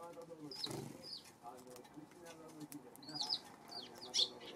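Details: Eurasian tree sparrow during the afternoon of April 25, giving a few scattered high, sharp chirps that cluster toward the end, with low human voices murmuring underneath.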